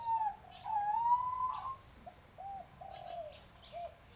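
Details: Bronze-tailed peacock-pheasants kept at a breeding center in Chiang Mai, Thailand: a loud, clear whistled note that dips then rises and holds, followed by softer short mid-pitched hoots in an irregular series, with faint chirps behind.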